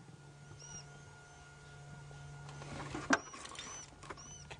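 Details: Waxbill alarm calls on an afternoon safari drive on 28 July 2016, possibly warning of a predator, as dwarf mongooses fled. Thin, very high 'teet' notes repeat about four times at uneven intervals over a steady low engine hum, with a sharp knock partway through.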